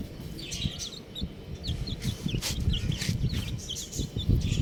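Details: Baby chickens, buff chicks, give scattered shrill chirps that dip and rise sharply. A steady low rumble and soft knocks run underneath.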